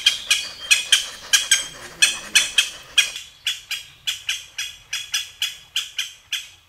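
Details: Japanese green woodpecker calling in a quick, uneven series of loud, sharp, ringing notes, around sixteen within seven seconds, with faint background rumble early on.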